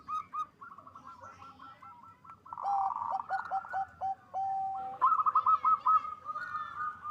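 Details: Local zebra dove singing with a big voice, to raise mating drive; soft distant coo series first, then a loud dense phrase with lower stepped notes, followed by a brisk run of short bright coos.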